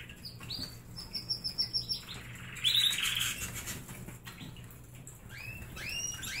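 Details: Caged pet canaries at a snack center of egg and fruit sticks and honey treats: a run of rapid high chirps about three per second, a buzzy trilled burst, then scattered rising whistled notes, with faint fluttering.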